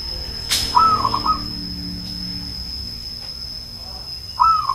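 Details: Old zebra dove cooing: a sharp click, then a short whistled rising note running into quick rolling coos, with a second phrase starting near the end; a steady thin high whine and low rumble run underneath.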